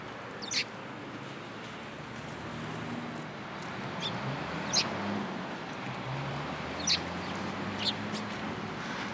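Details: Short, high chirps from sparrows flocking to a cherry tree at a Tenmangu shrine, 22 March 2023, come in loose bursts about two seconds apart above a low rumble of traffic.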